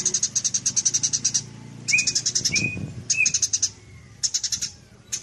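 Eurasian tree sparrow: bursts of rapid, high, metallic chirps, about ten per second, with a few short sliding whistles between bursts and a low background hum.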